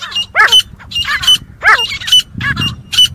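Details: Grey francolin fighting call, said to be very good for hunting: harsh, buzzy notes in pairs, each with a bright clipped peak and a lower curling squeal, repeated a little over once per second, with a low rumbling background.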